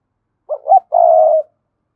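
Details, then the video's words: Cườm Sa spotted dove calling to attract wild doves. A single low phrase opens with two quick hooting notes, followed by a sustained, even, resonant coo of about half a second. Nothing else is heard. "Chim cu gáy Cườm Sa thúc gù gáy gọi đủ bài. chim cu gáy kích bổi nhanh nổi"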